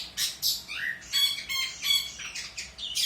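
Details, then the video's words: Energetic long-tailed shrike song recorded as tutor material for other songbirds: coarse squawks alternating with clear, ringing whistled notes and short buzzy phrases. "Burung Pented Gacor Cocok Untuk Masteran Burung Bahan"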